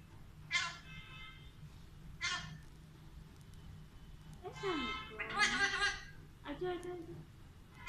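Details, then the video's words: Alexandrine parakeet talking in Urdu and Hindi: several short, harsh, speech-like bursts of varied length separated by pauses, with a quiet low hum underneath. "Sweet Parrot Talking in Urdu Hindi"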